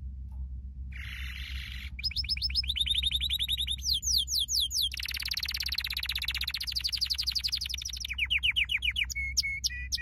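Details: Training song for canaries: a varied run of tours, including a buzzy rattle, fast descending trills, dense rolled passages and brief sharp whistled notes near the end, each section changing abruptly, with low background hum.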